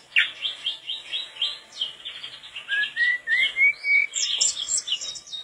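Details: Mangrove blue flycatcher singing energetically, a recording meant as a tutor for other songbirds: a busy run of sweet whistled notes and short warbles, then a series of clear rising slurs, ending in high thin twittering phrases.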